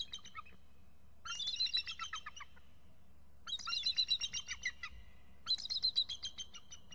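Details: Adult eagle pair calling excitedly from the nest, then flying off, with a young eagle perched on a nearby fir: three loud bursts of quick, high, metallic chattering notes, each burst about one to one and a half seconds long.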